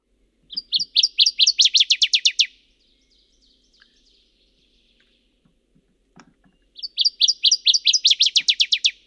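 Two loud, ringing songs of a Northern Waterthrush, each a run of about fifteen sharp, emphatic chips speeding up into a fast, slurred finish, with a quiet pause between.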